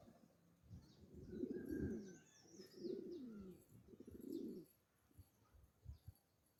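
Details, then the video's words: Male black Pomeranian fancy pigeons, pet birds, give three deep, rumbling coos with a slight falling tail, spaced about a second apart, over soft twittering of small birds and low background hum. "Black Pomeranian male fancy pigeons"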